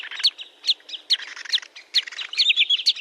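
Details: Sandpiper calling in a clean recording without background noise, giving a quick series of sharp, high, slurred chirps mixed with softer twittering notes, about two per second.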